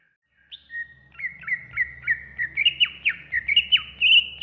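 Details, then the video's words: Greater green leafbird song for tutoring other birds: a lively run of clear, high whistles, each ending in a sharp downward slur, two or three per second, quickening toward the end. "Masteran Terbaik Cucak Ijo"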